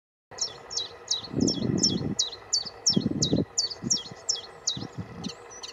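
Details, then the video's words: Common chiffchaff singing on Aylesbeare Common, 16 June 2020: a steady run of high, clipped notes about three per second, alternating slightly in pitch, with bursts of low rustling or handling noise underneath. "Chiff Chaff"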